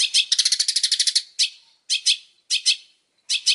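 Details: Long-tailed shrike giving a rapid series of about a dozen harsh, grating notes, then harsh paired rasps repeated at intervals of a little over half a second.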